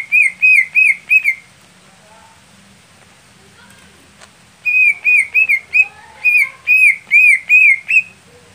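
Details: Greater green leafbird song meant for a contest bird that is slow to warm up or late to start singing: bursts of loud, clear whistled notes repeated about every half second, separated by a quieter gap with faint chirps.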